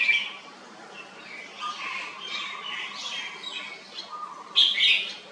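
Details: Red-whiskered bulbul kept in a cage, delivering a run of quick warbled, slurred phrases, a short pause, then a sharp loud note followed by another chattering phrase.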